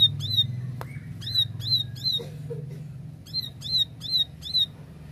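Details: Plain prinia giving clear 'tembakan' song: short runs of three to five buzzy, upswept chip notes, brief pauses between, a single sharp click early on and a steady low droning hum throughout.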